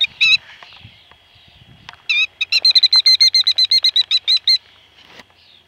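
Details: Killdeer mother protecting her speckled eggs in an unprotected place behind a car: a few sharp high notes, then a fast run of about fifteen piercing repeated notes.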